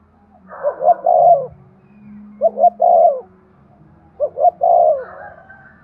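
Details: Spotted dove giving an urging coo meant to stimulate breeding: three low, mellow cooing phrases, each two short soft notes then a longer rolling coo, about every two seconds; faint low hum beneath.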